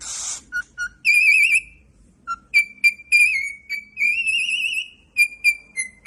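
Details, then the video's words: Singing pet cockatiel: after a brief rustle, short low whistles lead into a run of bright, wavering whistled phrases. Held notes alternate with quick chirps, and one long quavering tone rises slightly before the clipped final notes. "Adorable Singing Cockatiel"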